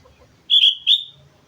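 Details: Single sooty-headed bulbul phrase recorded at Mount Slamet: two loud, clear whistled notes, the first slightly doubled, over a quiet low background.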